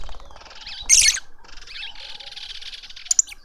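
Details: Juvenile lovebird being fed by its family in a Pretoria suburban garden, South Africa; a continuous harsh, buzzy rasping with one loud squealing burst and a sharp squeak near the end.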